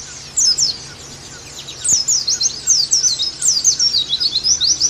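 Oriental white-eye song: very high, fast, jumbled twittering with quick rising and falling trills, running almost without a break after the first half-second.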